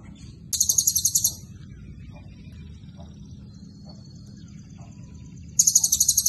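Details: Very high, fast ticking trills of a Blue-crowned hanging parrot, singing prolifically with cililin phrases in its song: two bursts about five seconds apart, each a rapid series of sharp chirps, with faint thin whistles between.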